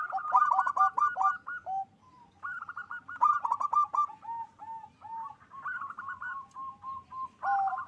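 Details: Loud, vigorous song of a local zebra dove from a Bekasi, West Java bird farm, used to raise mating drive; repeated bursts of quick, rolling, trilled coos with short gaps, phrases stacking closely over eight seconds.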